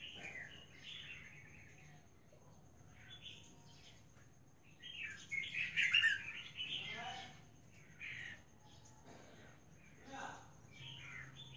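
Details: Albino female Red-whiskered Bulbul giving a 'ra giọng 4-5' voice: scattered short chirps, then a loud burst of rapid tumbling warbled notes midway, followed by softer clipped calls. Faint background murmur and a low steady hum.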